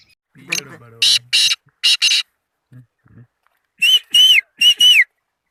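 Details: Black francolin chick, three days old, calling: four loud, harsh bursts in two pairs, then a quieter gap, then four shrill calls with arched whistled tones, each lasting about a quarter second. Faint low murmurs near the start.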